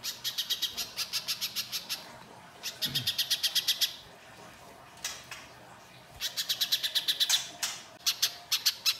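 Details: Little spiderhunter singing in the gacor mbeset kasar style, played to lure other birds into answering. Rapid bursts of sharp, high, clipped notes are separated by short pauses. One soft low thump is heard.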